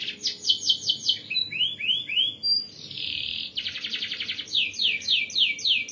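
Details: Canary in active 'gacor' song of the dense rolling 'ngeroll rapat' type: fast repeated sweeps, a few round arcing chirps, a sustained buzzy roll, then another rapid series of falling notes.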